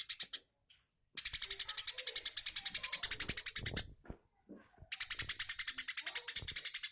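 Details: Indonesian 'tembakan' song of a Eurasian tree sparrow, used for training magpie-robins: long, harsh, machine-gun-like runs of rapid chirps, one nearly three seconds long, broken by brief gaps with soft background knocks and murmuring.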